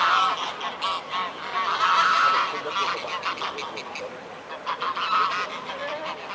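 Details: Mute swans at the Blaues Wunder bridge in Dresden, Germany, on 14 October 2017 at 14:00; harsh, nasal honking calls with stacked tones come in uneven bursts, over a steady outdoor murmur with faint voices.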